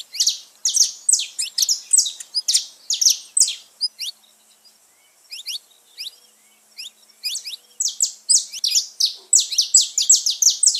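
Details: Saffron finch song used to stimulate pet birds: loud bursts of rapid, shrill, downslurred chirps, a quieter stretch of soft thin notes midway, then the fast chirping resumes.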